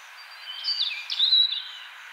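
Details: European robin singing in spring: a short, high, thin phrase of sliding whistled notes, rising and falling, with a brighter trill near the end, over faint background hiss.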